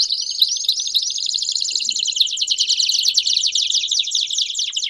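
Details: Belgian canary singing a continuous, rapid, rolling song of dense trills and chattering notes, with a few clear whistled upslurs near the start, all high-pitched and unbroken for the whole stretch.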